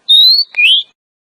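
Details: Female Oriental magpie-robin call for luring males: a long, slowly rising clear whistle, a short click, then a second rising whistle.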